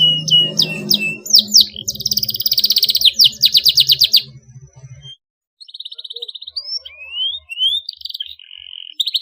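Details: Canary with a sharp rolling song, used to stimulate young canaries to sing: high whistled notes and rapid buzzy trills, a short silence, then rising slurred whistles; a low hum sits beneath the first half.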